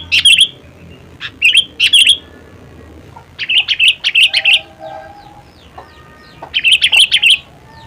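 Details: Sooty-headed bulbul producing clustered chirping phrases, each with several quick bright notes, while faint steady tonal sounds linger in the background between phrases.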